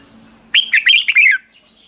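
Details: Hót ché song from a Red-whiskered bulbul, recorded as a lure for training birds to sing in the morning. One loud, quick phrase of about five sliding whistled notes lasts under a second against a soft low hum.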